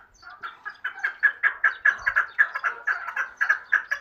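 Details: Chukar partridge kept for hunting repeats sharp, husky chuk syllables roughly four times a second, each note rising quickly then fading, forming a brisk, regular rhythmic chant.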